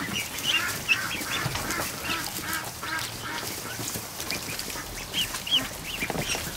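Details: Chorus of newly hatched ducklings, over a hundred, in a kiddie pool in a barn during the afternoon. Dense, overlapping high peeps run continuously, with paddling and splashing water beneath.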